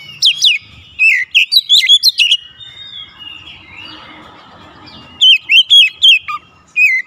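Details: Oriental magpie-robin pouring out its repertoire of mimicked phrases: sharp whistled notes and ringing chips in a burst, a long quiet pause, then another lively run of sweet slurred whistles.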